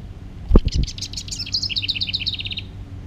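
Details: Hermit thrush song, one bright fluty phrase. A couple of high notes lead into a rapid, evenly beaded run of clear whistled notes alternating between two pitches for about a second. Sharp knocking thumps near the start.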